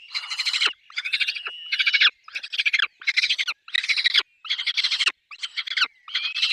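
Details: Loud, harsh, rhythmic chatter at a peregrine falcon nest with chicks: grating pulsed bursts of just under a second each, repeated about every 0.8 seconds, with faint thin wails between them.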